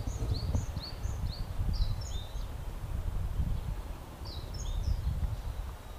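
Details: Brown-eared bulbuls, popular birds in Japan, noisy in a cherry tree in blossom as they come for nectar; bursts of short, high, downslurred squeaks in two clusters over deep continuous background rumble.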